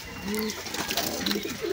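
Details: A domestic pigeon calls in a loft, giving low, soft cooing notes while a man talks nearby; nest boxes there hold newly hatched squabs, eggs, and pairs still nest-building.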